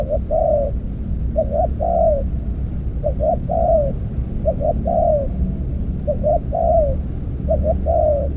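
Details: Spotted dove calling during decoy trapping with an earthen trap: two short low notes followed by a longer, slightly falling coo, repeated about every 1.3 seconds over a strong low rumble.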